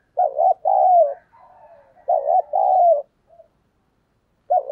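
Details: Cooing decoy spotted dove luring wild birds, 'thổ' voice style: repeated phrases of a stuttered double note and a falling coo, separated by soft low murmurs, with a new phrase starting at the end.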